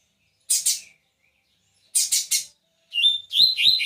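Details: Caged coleiro (double-collared seedeater) singing on the perch for tournament: one scratchy buzz, a triple buzzy burst, then fast twittering whistles that rise and fall.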